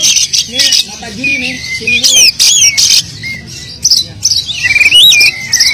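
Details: Oriental magpie-robin in non-stop song rich in filler phrases, played to stir silent magpie-robins into song; short loud buzzy bursts alternate with clear whistles and looping slurred notes, with a low background hum throughout.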